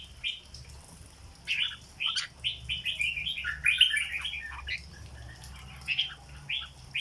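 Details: Red-whiskered bulbul, a cage bird, sings a dok-style phrase: a cheerful string of rolling, bubbly whistled notes in a rhythmic run, followed by a pause and a few separate chirpy notes near the end.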